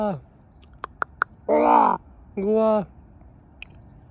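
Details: On a frosty Monday morning a common raven makes a low falling croak, three quick clicks, then two loud, rasping gwahs about a second apart, each roughly half a second long.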